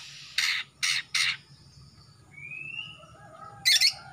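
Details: Young male greater green leafbird from Kalimantan, throat turning black, gives three harsh rasping bursts, then a thin rising whistle and a final scratchy double note.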